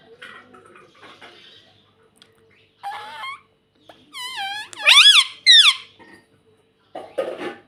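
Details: Pet rose-ringed (ringneck) parakeet indoors giving sharp, rising squawks and a run of harmonic-rich screeches around the middle, with softer chatter before and after.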